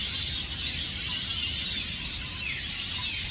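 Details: Hundreds of rainbow lorikeets at their Norfolk Pine roost along Burleigh Heads Beach, Gold Coast, Queensland, Australia, before sunrise, just before and after taking off for the day; a dense, continuous roar of shrill screeching calls.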